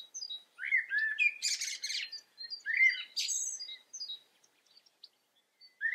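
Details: European goldfinch in the Eifel, Germany: lively liquid twittering with rapid chattering bursts and harsher buzzy notes, tapering into sparse high chips before a last rising note.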